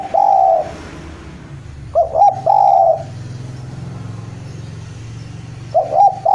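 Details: Javanese spotted dove, a vigorous caller calling to a rival. Deep, mellow cooing phrases: one at the start, another near two seconds that trails into a long coo, and a third near the end. A low background hum runs throughout.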